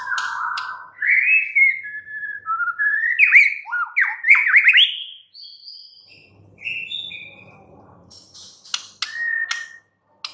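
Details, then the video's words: White-rumped shama, a kept songbird, singing varied whistles and rapid sweeping notes, slurred rises and falls, with softer scattered notes and faint clicks later on. "murai batu BISU, STRES, MACET TOTAL bakalan NYAUT GACOR dan Kembali FIGHTER"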